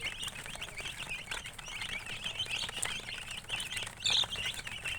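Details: Many chicks peeping together in a steady chorus of high, short chirps, some louder piercing peeps standing out near the end, with faint background pattering.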